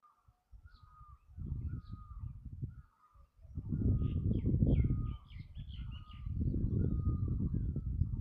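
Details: Bulbul singing: a steady run of mellow whistled notes, each a short falling slur, repeated about three times per second, with brief higher chirps, over loud low rumbling wind or handling noise.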